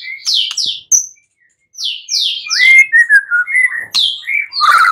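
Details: Shama song recorded at night as a lure for other birds to answer: bright downslurred whistles, then a fast run of varied warbled notes and buzzy flourishes after a short silence.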